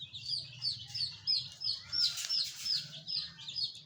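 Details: Colourful chicks giving shrill downslurred peeps in a steady rhythm, several voices overlapping, with a short burst of rustling noise midway.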